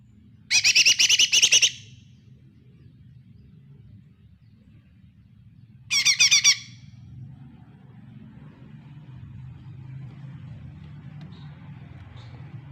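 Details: Lesser green leafbird, as a lure for a bird that rarely sings: two bursts of fast, high, crackling chirp trills several seconds apart, with a low rumbling background hum throughout.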